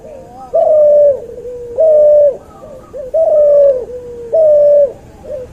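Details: Training recording of a cuhu dove, offspring of a white albino puter and a puter pelung: four prolonged even coos with soft falling tails between, spaced roughly 1.2 seconds apart.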